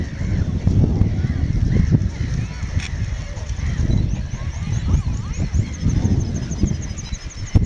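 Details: Common eiders on the Farne Islands, 4 June 2010, give low, soft, moaning calls in bursts about every second or two, over a steady rumble of wind or water.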